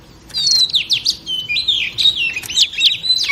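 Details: Female oriental magpie-robin singing to rouse male cage birds: continuous bright whistled phrases with fast upslurs and downslurs, rich and unbroken.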